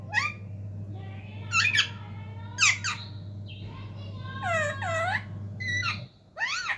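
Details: Talking parrots indoors produce a string of speech-like harmonic phrases, with bending, wavering tones and brief sharp notes, over a low hum that drops out near the end.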